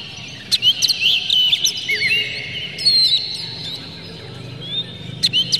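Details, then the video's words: Oriental magpie-robin lure song: a few sharp chips, then drawn-out whistled notes and gliding slurs, followed by a quieter pause before another burst of chips, over faint background rumble. "PANCINGAN KACER Buka Ekor KONSLET bongkar MATERI KASAR JERNIH agar KACER emosi"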